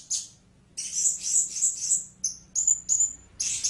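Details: Blue-crowned hanging parrot uttering a quick series of high, sibilant squeaky notes in a pulsing sequence, followed by short clipped chirps and a final hissy burst.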